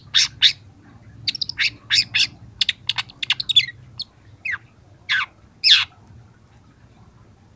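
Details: Young long-tailed shrike singing for a training recording: sharp, descending, scratchy notes in quick clusters, thinning to a few spaced harsh calls.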